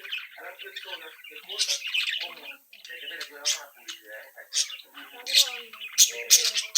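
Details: A young brood of budgerigars chirping, singing and mimicking while playing together: dense, scratchy warbled chatter with sharp high clicks and squeaks, overlapping voices continuing without pause.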